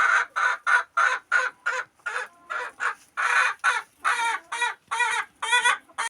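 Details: Farm chickens clucking loudly, part of a lively farm concert of chicken sounds: a steady run of harsh, nasal squawking clucks in quick bursts, some longer and wavering, with no pause across the whole stretch.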